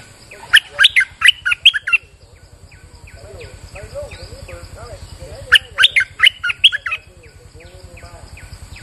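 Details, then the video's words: Bulbul lure song recorded on a rainy day: loud bursts of five or six sharp, liquid notes sweeping between low and high pitch, given twice. Softer repeated chirps and a steady low pulsing hum run in between. "Suara pikat merbah lekir gacor"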